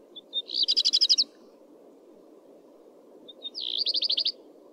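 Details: Common redstart (Phoenicurus phoenicurus) delivering two similar song phrases about three seconds apart, each a short introductory whistle followed by a fast burst of eight or so ringing high notes, over a continuous low hum.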